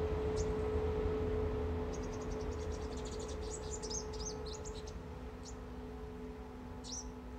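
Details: Purple sunbird (Cinnyris asiaticus), call.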